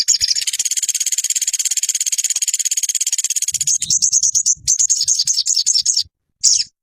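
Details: Ruby-cheeked sunbird (sogon) training recording for caged birds. A long, rich, very rapid high trill, then choppier phrases of quick notes and a closing sharp chirp.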